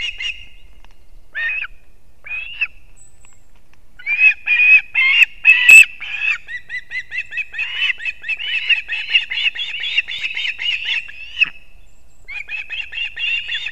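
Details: Male osprey bringing two fish to chicks at a Latvian nest in Kurzeme, 6:40 am, 3 September 2024. Scattered whistled calls build into loud, urgent chirps with a sharp clatter, then long rapid chirping sequences.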